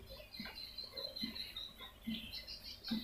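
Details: Swiftlet calls used as a lure: thin, high, drawn-out twittering with squeaky chirps, punctuated by soft low thumps roughly every three-quarters of a second.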